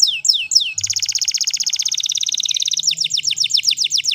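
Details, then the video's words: Canary singing in the wild: two falling whistled sweeps, a long, fast, rattling trill, then a string of quick down-slurred whistles. "Canary Singing In The Wild"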